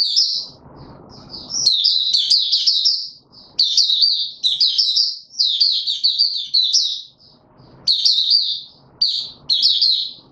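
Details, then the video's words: Caged white-eye pushed on form, singing bright, high, fast twittering warble phrases in long runs with short breaks, soft low background noise at the start and in the pauses. "Mata Puteh - Raja V2 Pushing him on form buka sing"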